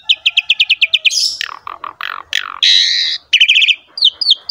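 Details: Asian pied starling kept in a cage, singing a master recording for lazy birds: a fast run of repeated high chips, then harsh buzzy notes, a long rasp and twittering whistles.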